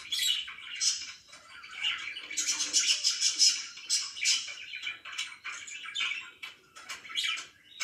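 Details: Budgerigars kept as pets chirp in the morning, rapid chattering warble with sharp clicks and bright squeaky notes, swelling louder in the middle before easing off.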